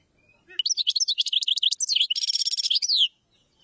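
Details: Full common chaffinch song of the tablat type, lasting about two and a half seconds. Quick high notes accelerate into a dense rattling trill and end in a sweeping, falling flourish, clear against a silent background.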